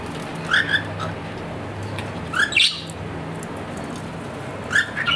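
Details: Captive budgerigar, an Australian parrot, making a few isolated squeaky chirps in small pairs separated by quiet gaps, with a steady low hum in the background.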